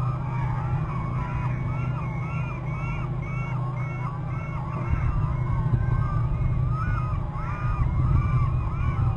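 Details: Two eagles trill at their nest on a Hornby Island territory on March 20 around 12:29, after one flies in to an upper left branch. Quick, repeated chittering notes run throughout over a strong, steady low rumble.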